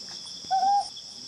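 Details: Ryukyu scops owl recorded in July 2020 gives one mellow, level hoot, about a third of a second long, over a steady high background hum of insects.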